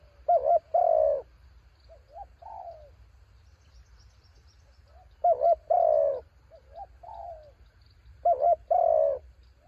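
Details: Spotted dove decoy singing against strong wind, three loud phrases of a double wavering coo plus a long sagging purr. Faint, higher short coos from a farther dove sit between them.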